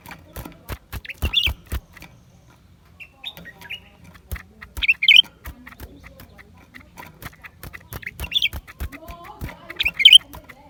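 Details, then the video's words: Lesser green leafbird song from January 2023: brief high chirped bursts about every three seconds, separated by quiet spells, with frequent sharp clicking sounds in between. "เสียงนกเขียวกลาง ปีกสีฟ้า suara cucak ranting"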